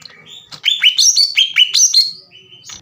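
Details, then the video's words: Green leafbird in full song, recorded as a lure to anger rival birds into singing. About seven loud, sharp notes, each sweeping up into a short level whistle. Lower whistles alternate with higher ringing ones in a fast run, then fade. "MEMANCING CUCAK IJO LAWAN AGAR EMOSI DAN GACOR"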